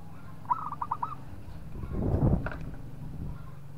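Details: A local zebra dove, singing to draw a rival into calling, gives one short rolling run of about five soft coos. A brief louder low noise follows and nothing else is heard.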